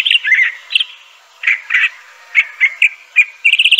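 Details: Crissal thrasher singing in a soft, slightly distant-sounding sequence of varied chirped phrases separated by short gaps, ending in a quick run of high notes.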